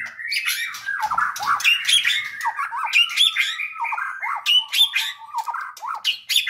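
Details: White-rumped shamas at a breeding farm with males and females caged give harsh, scratchy squawks and short whistled notes in an irregular stream, mostly high-pitched, with several birds possibly calling together.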